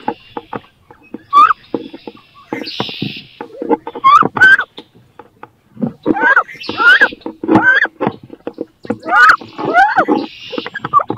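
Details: Two wood duck females in a fierce fight for a nest box where both want to lay and incubate; repeated rising squeals and whiny calls mixed with thuds, scratching and bursts of flapping.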